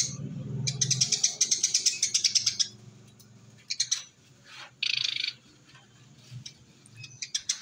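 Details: Eurasian tree sparrow lure sound: a long run of rapid, harsh chirps, then scattered shorter buzzy bursts and single chips, with faint low background hum.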